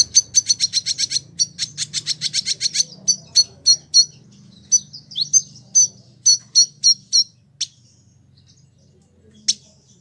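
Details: Caged village indigobird kept for about a year in Bandung, West Java, Indonesia, singing actively as a tutor bird: a fast burst of sharp high chirps that slows into spaced, clipped whistled notes, with faint low background hum.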